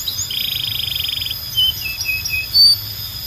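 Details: Belgian canary singing, said to call other canaries to sing: a rapid buzzy trill of repeated notes for about a second, then short thin whistled notes and a brief bright high note, over a faint low hum.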